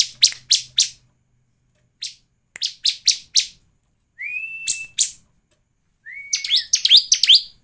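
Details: Bar-winged prinia lure song meant to get other birds singing: short groups of harsh, buzzy chips separated by pauses, plus two brief upslurred whistles and a final jumble of scratchy notes.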